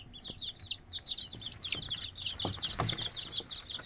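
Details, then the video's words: Several red junglefowl chicks giving rapid high-pitched peeps that tumble over one another, with occasional soft thumps and low background rumble. "Red jungle fowl chicks"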